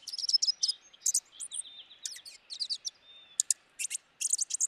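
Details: Dark-eyed junco in a busy stream of high twitters and chips, some notes thin and slurred, coming almost without pause for nearly five seconds.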